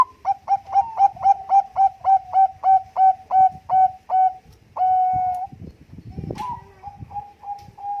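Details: Zebra dove, Bangkok type, with competition-quality cooing used as a lure: about thirteen rapid, regular hooked coos, a long held tone, then a faint further phrase of coos.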